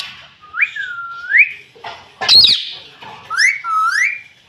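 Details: Pet rose-ringed parakeet that says "mummy": rising whistled slurs, a brief harsh burst in the middle, then two more upward-sweeping nasal syllables.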